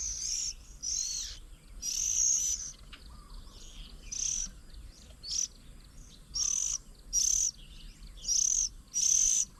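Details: Feeding their young at a Chiang Mai bird table on 8 June 2022, Oriental magpie-robins give hoarse high raspy bursts in irregular series, some doubled, and a distant low coo is heard between them.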